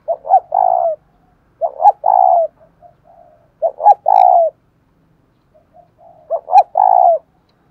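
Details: Spotted dove singing in the 'giọng đồng thổ' coo style: four low, soft cooing phrases about every two seconds, each with two short notes then a longer drawn-out coo, with faint murmured notes between phrases.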